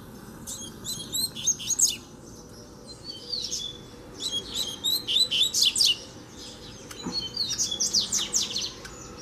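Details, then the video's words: Uncaged double-collared seedeater singing to challenge a caged bird: three energetic bursts of rapid, buzzy high notes separated by short pauses, with a faint low knock midway. "BADERNA O COLEIRO VEM NA MÃO PRA PEGAR O DA GAIOLA!!! TREINO DE FIBRA NO COLEIRO SOLTO!!!"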